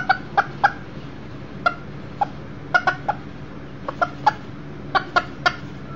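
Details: Short clucking notes from Millefleur d'Uccle chickens kept inside a house with a brooder box: clusters of two or three quick, sharp clucks spread irregularly across six seconds over a low indoor background hum.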